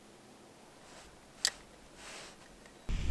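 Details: Quiet indoor-sounding background with a single sharp click midway, soft rustling hiss, and a low thumping rumble at the very end, with no animal voice.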